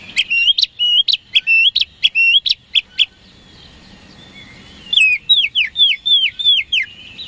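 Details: Oriental magpie-robin (kacer) song used as a lure to provoke rival birds into responding: a quick run of sharp, clear whistled notes for three seconds, a short pause, then a series of loud downslurred whistles repeated about twice a second.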